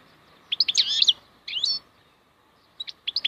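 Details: Wild European goldfinch in song: a rich burst of tumbling, slurred twittering notes, a shorter swooping phrase, then after a pause a few clipped high chirps.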